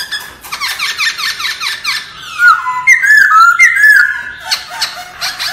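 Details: Laughingthrush song in forest style for voice training, beginning with rapid chattering notes, then clear warbled whistles, then more quick busy phrases.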